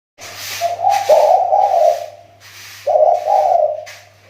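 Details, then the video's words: Spotted dove kept as a lure bird, a Riau Islands tekukur whose voice is improving after a recent drop. Two low, hoarse cooing phrases of rolling notes, with a faint steady hum beneath. "SUARA TEKUKUR PIKAT"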